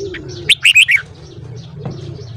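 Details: Short morning song of a red-whiskered bulbul for voice training: a brisk run of four loud, clear whistled notes, with low dove coos and faint chirping behind.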